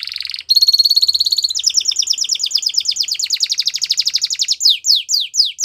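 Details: Belgian canary singing: a buzzy note, then sustained rapid trills at a high pitch, ending in strong falling whistled slurs.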